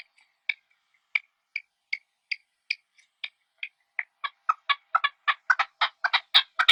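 A partridge gives sharp, clipped chirps, slow and spaced at first, then quickening into a rapid, louder run of harsh notes.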